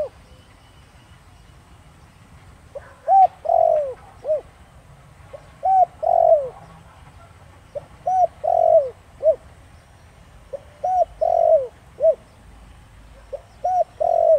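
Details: Spotted dove repeating its 'thổ đồng' coo phrase, used to provoke wild doves into cooing: about five phrases, each a short note, an arched coo, a long falling burry coo and a closing short note, separated by brief pauses.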